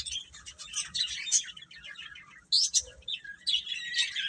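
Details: Chicks give sharp, high cheeps, some rising quickly in pitch, in loud clusters broken by a short pause midway.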